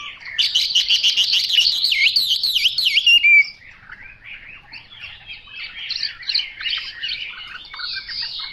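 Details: Chinese hwamei pouring out a loud run of fast rolling whistled loops for three seconds, followed by quieter, scratchier twittering phrases.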